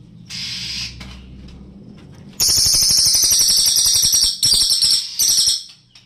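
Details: Greater green leafbird (cililin) tutor song: a soft hissy note, then a loud, rapid high-pitched rattling trill, broken twice by short pauses before fading.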